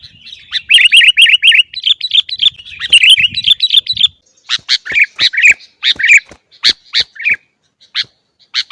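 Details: Busy sooty-headed bulbul song for training caged birds: a rapid rolling chatter of repeated bubbly notes for four seconds, then a series of sharp, separated chirps.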